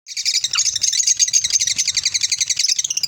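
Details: Lovebirds in a cheerful mood, giving a dense, rapid stream of shrill, high chirps and twitters that barely pause across the whole stretch, with a brief downward squeak early on.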